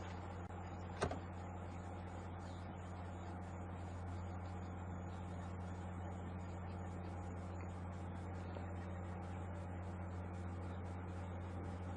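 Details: A steady low engine rumble from an idling vehicle, with a single sharp knock near the start and no clear animal calls.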